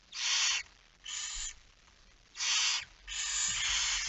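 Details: Barn owl at its nest while being fed at night, 10 September 2019, 22:45; four harsh, noisy snore-like hisses, the last one longer and doubled, with quiet breaks and soft low bumps.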